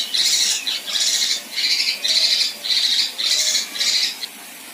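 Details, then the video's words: A female kinoi delivering coarse 'tembakan kasar' bursts for songbird tutoring: seven scratchy, buzzing phrases about half a second long, repeated roughly twice a second in a slightly uneven rhythm. "Besetan Dan Tembakan Kasar Kinoi Betina"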